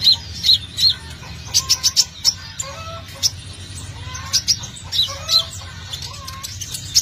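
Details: Energetic brown-throated sunbird song meant to lure birds: emphatic high chirps and rapid ticking runs repeated through the clip, while fainter sliding whistles from other birds sound underneath.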